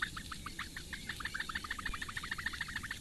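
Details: Eurasian bittern chicks, four in a nest in Latvian lakeside reeds, calling for food during a morning feed by the female in May, webcam recording: rapid, even series of clipped tick-like notes repeated steadily throughout.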